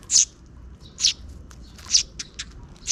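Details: Sparrow chicks, two of them, being fed by a parent bird near dusk; short high chirps in spaced bursts about once a second, with fainter chips between and low background rumble.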